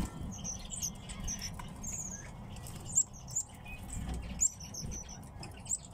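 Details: Tits kept as home birds give short, thin, very high chirps, scattered irregularly about once every second or two, over a steady low rumble and soft rustling or fluttering.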